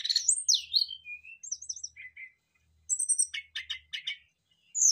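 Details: Lively exchange between brown-chested jungle flycatchers, full of mimicked phrases. Swooping high whistles and short two-note chirps are followed by a quick series of harsh clicking notes, then a final bright whistle.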